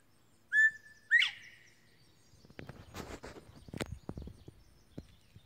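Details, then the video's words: A male Northern Bobwhite sings while perched on a slash pile of dead trees and treetops. He gives a clear whistled 'bob-white', a short level note followed by a loud, sharply rising slur, with soft rustling and clattering afterward. "Bobwhite Quail Singing"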